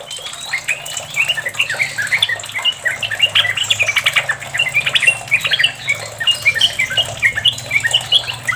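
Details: A Yellow-vented bulbul song used as a lure to get kept bulbuls singing: a long, rapid rolling chatter of bubbly, mid-high notes without a break, over a faint low hum.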